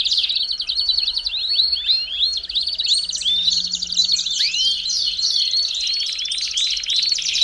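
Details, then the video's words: Belgian canary song used to warm up other canaries: dense, rapid rolling trills of high repeated notes mixed with quick upward-sweeping whistles, continuous throughout, possibly several birds overlapping. "CANTO PARA ESQUENTAR CANÁRIO BELGA RÁPIDO!!!"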